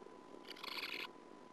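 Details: A sand martin inside a colony nest burrow gives a single dry, rasping call lasting about half a second, harsh and buzzy, during the breeding season while an intruding female persistently enters; a faint steady electrical whine runs underneath.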